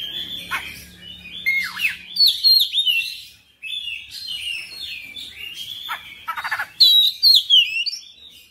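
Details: Oriental magpie-robin singing persistently through its whole repertoire. Quick downward-sweeping whistles and rich warbled phrases come in bursts about every second, with a brief gap midway and a bright whistled finish.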